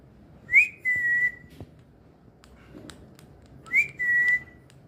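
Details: Parrot kept as a talking bird, giving two clear whistled phrases about three seconds apart, each a sharp rising note followed by a long steady whistle, with faint indoor room noise between them.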